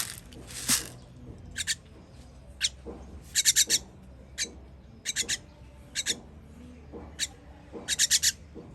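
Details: Baby birds being fed, recorded 21 June 2023: harsh, hissing begging bursts come in quick clusters of two to four, with single rasps between, repeated throughout against faint low background noise.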